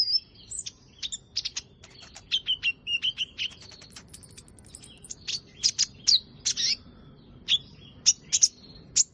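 Sharp, high chirps and thin twittering notes from a sunbird, delivered in quick irregular bursts for about nine seconds over a quiet background.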